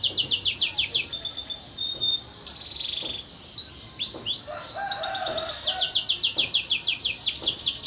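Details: Canary singing rapid repeated high sweeps, a sustained buzzy note, scattered chips and a lower rattling phrase, closing with a steady run of descending whistled notes.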